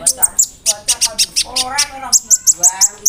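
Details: Konin bird singing a song filled with imitations of cricket and other birds, played to tutor songbirds: rapid, sharp high chirps repeated about three times a second, with lower warbled phrases in between and faint talking underneath.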